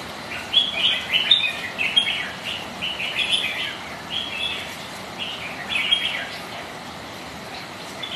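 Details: Rival red-whiskered bulbuls spar on a rainy day: a busy run of short, bouncy warbled phrases for six seconds, then quieter hiss.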